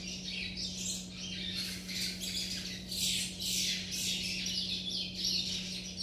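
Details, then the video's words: Young chestnut-bellied seed finches practising song: a dense, scratchy chatter of overlapping high notes swelling and fading in bursts about once a second, over a steady low electrical hum. "meus filhote churrilhando"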